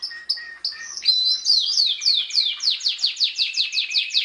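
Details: Canary singing for a training recording: a few separate clear whistled notes, then a rapid chain of bright downward-sliding notes.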